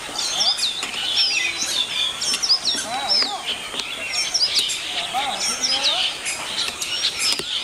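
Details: Chestnut-tailed starling of the subspecies Sturnia malabarica nemoricola from China: busy chatter of short high chirps and squeaky whistled notes, overlapping and continuous, with some lower slurred notes.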